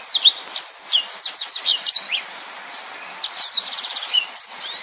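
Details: Yellow-fronted canary singing in the rapid, dense 'nembak' style: a fast run of high, slurred whistles and upward sweeps, a short pause, then a bright buzzy trill and more quick sweeping notes.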